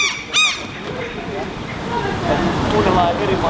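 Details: Herring gull family, parents and a fledgling standing on a rooftop while feeding, in Helsinki, Finland, July 2015: one loud, harsh, nasal call near the start, then thinner wavering calls over a steady rush of background noise.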